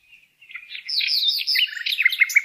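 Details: Bird song made of a quiet opening note, then a dense jumble of warbled, chattering notes that grow louder, ending in short repeated chirps.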